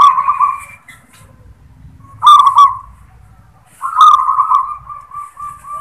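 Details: Zebra dove of local stock in "klar ketek kuk" song style: three bubbly, trilled cooing phrases, the last running on as a quickly repeated stuttering coo, with faint low background rumble.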